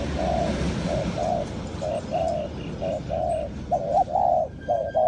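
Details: Spotted dove cooing as a lure for trapping wild doves. Soft hollow coo notes come in short and longer pairs at a quick, uneven pace, with a constant low hum beneath.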